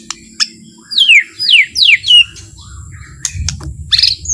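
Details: White-rumped shama singing a soft, relaxed song meant to provoke other shamas into singing; a run of clear whistled notes, each sliding sharply downward, follows a few sharp high chips, with faint low background rumble.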